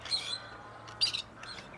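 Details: Returning wild male grey partridges near Tullow, two birds once released by a conservation project, calling while searching for females: a short grating burst, then a louder scratchy one a second later and a softer echo.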